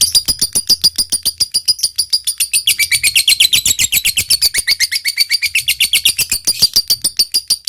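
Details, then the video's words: Lovebird in full song, used to prompt other lovebirds into long chattering, ngekek panjang: a long unbroken run of sharp, high, rapid chattering notes, about four per second, shifting slightly in pitch throughout. "suara lovebird gacor ini SANGAT DI REKOMENDASI untuk MENJADIKAN lovebird gacor NYAUT NGEKEK PANJANG"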